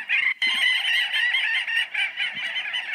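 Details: Little auks, blackbird-sized and very social Arctic seabirds, chatter on their colony rocks in a dense chorus: a continuous mass of high, rapid, laughing trills that overlap without pause.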